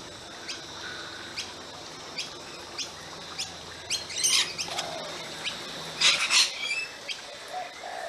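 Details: Flock of rainbow lorikeets feeding on seed pods in Chinese lantern trees in a backyard. Scattered sharp clicks sound throughout, broken by two harsh, screechy bursts of calling near the middle and later on.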